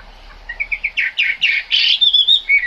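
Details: A Chinese hwamei sings in the rain, soft short notes swelling into loud, rich, rising phrases that end in a clear high whistle.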